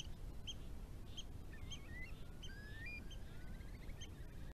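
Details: Curlews calling at night in spring 2020 on the Tarland Wetland at a wastewater treatment works: quiet, rising, drawn-out whistles, then a short bubbling trill. Short high chips are also heard over a low background hum.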